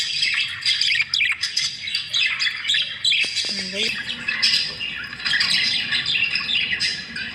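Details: Budgies competing at their food, with dense chirping and harsh squawks throughout. People talk briefly partway through.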